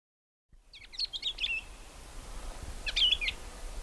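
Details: Crimson-winged finch giving two short clusters of high, thin chirping notes about two seconds apart, over steady low rumbling background noise.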